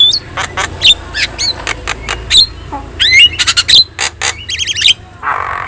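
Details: Vocal yellow-eyed Javan myna whose song serves as a tutor for other birds: rapid sequence of short chirps, squawks and whistled slurs, ending in a quick trilled run and a brief hoarse note.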